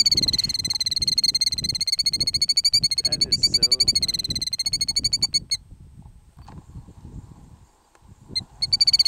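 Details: Trying to lead potential predators away from its nest on a gravel road, a parent killdeer utters a long, fast trill of high, piercing notes lasting about five seconds. After a quiet gap the trill resumes briefly, with low background rumble.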